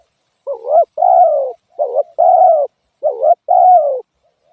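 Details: Repeated two-part coo of a spotted dove: a short warbling note, then a fuller, drawn-out falling coo, three cycles, with nothing else heard.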